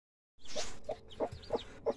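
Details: Broody hen with newly hatched chicks: a short noisy burst, then low, soft clucks repeated about every third of a second, with faint high chick peeps between them.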